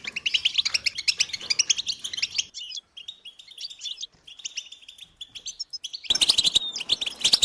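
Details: Chorus of European goldfinches with calls meant to stimulate males to sing: busy high twittering, thinning to softer scattered chirps in the middle, then bursting back loud and dense at the end.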